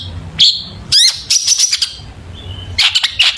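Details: Long-tailed shrike song for luring shrikes to sing: separate bursts of rising whistled squeaks and scratchy high chatter with short quiet gaps, over soft low background noise.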